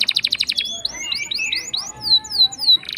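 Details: Canary singing a long rolling song, used as a lure to prompt silent canaries to sing: a fast pulsed trill, then whistled upslurred notes and descending sweeps, all high-pitched.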